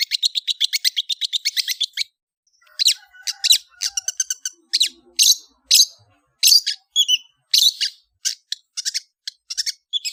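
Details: Long-tailed shrike singing a chattering song: a quick run of buzzy repeated notes for two seconds, then varied sharp sweeping whistles and clipped chips in irregular bursts.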